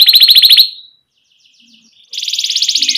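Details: Canary singing for young learners: a rapid high rolling trill, a brief near-silent pause with faint notes, then another fast buzzy trill.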